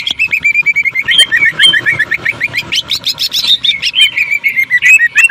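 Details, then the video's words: Greater green leafbird, cucak ijo, singing a jamtrok-style tembakan likened to a sewing machine: rapid staccato chips repeated several times a second, steady and piercing, with brief higher whistled flourishes mixed in. "CUCAK IJO JAMTROK TEMBAKAN SUARA MESIN JAHIT"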